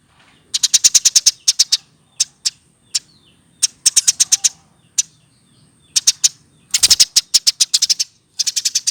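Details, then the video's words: Caged Eurasian tree sparrow raised by hand from a chick, older than a year, producing uneven clusters of rapid bright chirps, some single notes, and a dense rattling burst. "Dari lolohan!!Umur 1 th keatas burung gereja baru bisa seperti ini"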